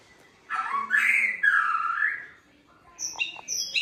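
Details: White-rumped shama song used to prompt other shamas to sing: two loud, sweeping, warbled whistles rising and falling, a short gap, then thin, high chips and brief whistled notes.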